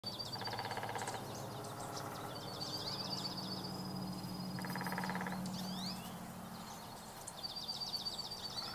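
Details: Juncos among other birds during a mid-April snowstorm: a rapid, even, high musical trill of repeated notes, heard three times, with a steady low hum underneath.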